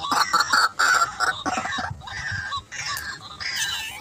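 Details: White-breasted waterhen answering a lure in a rice paddy: a quick run of loud, grating clucks early on, then softer, more drawn-out harsh notes trailing off against background noise.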